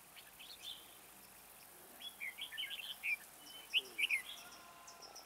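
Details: Red-whiskered bulbul decoy with a soaring high voice, singing to lure birds into a trap. Quick rising and falling chirped notes run together in a lively warbling phrase, ending in a few loud clear whistles.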